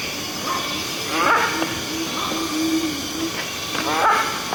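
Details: Indian grey hornbill in Delhi: shrill squealing notes with ringing overtones, several calls a few seconds apart, over a steady loud hiss of background noise.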